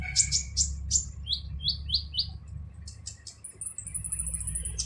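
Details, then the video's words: Brown-throated sunbird singing harshly: quick high chirps, then four falling slurred notes in a row, ending in a sustained thin buzzing trill; steady low hum underneath. "MASTERAN KOLIBRI NINJA FULL SUARA KASAR"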